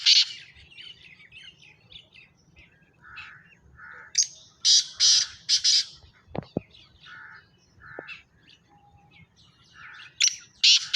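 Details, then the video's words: Black francolin calling: harsh, grating bursts of high rasping notes, some dropping to lower buzzy phrases, given in irregular clusters, with other bird notes and a low background hum. "کالا تیتر کی آواز"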